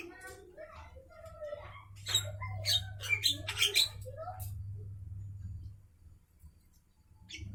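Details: Midday song of a Javan myna: a run of varied notes, some whistled with rich overtones, others harsh and scratchy, fading out in the final seconds against a low hum.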